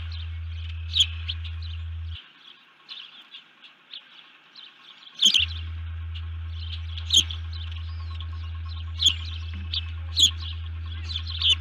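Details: Female osprey at a camera-watched nest, early morning of 1 June 2019, giving alert calls when disturbed: thin, piercing chirps repeated roughly every second or two, with a low constant hum that briefly drops out.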